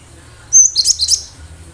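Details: Wild cinereous tit in full, lively voice, used as a lure to draw other birds into quick response: one burst of high, thin chirped notes lasting under a second, with a quiet low hum beneath.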